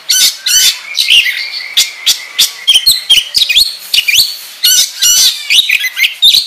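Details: Oriental magpie-robin (kacer) in lively 'gacor ngobra' song, used as a lure to prompt other magpie-robins to sing: loud, fast mix of harsh buzzy bursts, sharp chips and short high whistled phrases with brief pauses between.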